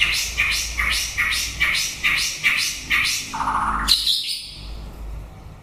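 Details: Late-breeding-season song of a White-rumped shama: a run of evenly spaced, slightly buzzy notes about twice per second, then a lower rough note and a sudden high flourish before quiet.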